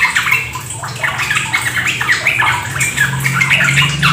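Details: Sooty-headed Bulbul (trucuk) lure song in rapid 'ropel' style: quick bursts of chirpy, slurred notes, about four per second and irregular, over running water and a low steady hum.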